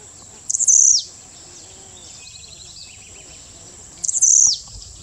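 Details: At Las Peñas, Ecuador, a blue-black grassquit repeats a short, high, stuttering buzz that slides down at its close, twice about three and a half seconds apart, while faint twittering notes from other birds fill the gap.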